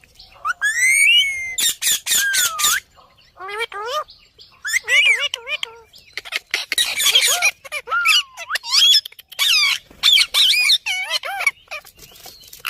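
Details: Talking green parrot delivering a long, busy stream of squawks, screeches and looping speech-like syllables with only brief gaps.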